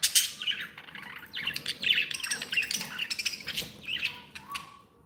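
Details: Happy pet budgerigars give busy high chirps and scratchy warbles that overlap continuously, with soft background noise beneath.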